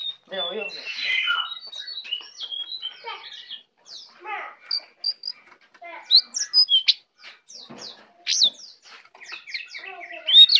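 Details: Tame, vocal brown prinia: a dense twittering start gives way to separated sharp chirps and quick high whistled notes, with short pauses between bursts.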